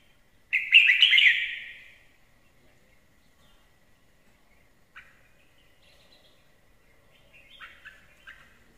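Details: Red-whiskered bulbul in fine song: one loud, rich warbling phrase lasting about a second and a half, followed by quiet pauses and a few faint, short chirps toward the end.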